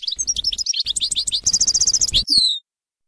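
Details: European goldfinch song in the Bainam Ghazarat style, used for teaching young birds: rapid twittering notes, then a fast buzzy trill and a few downslurred whistles before falling silent.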